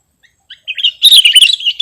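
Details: Sooty-headed bulbul, on audio intended for luring or training birds: a few soft chips lead into a short, loud, tumbling run of liquid warbled notes.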